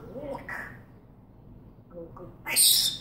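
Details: Soft mumbled speech-like sounds from an African grey parrot, a quiet gap, then a loud shrill screech of very high pitch lasting about half a second.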